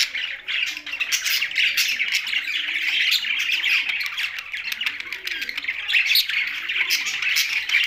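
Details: Budgerigars kept together with a parrot, chirping: a dense, continuous chatter of many overlapping scratchy chirps and warbles, with sharper squeaky notes breaking through throughout.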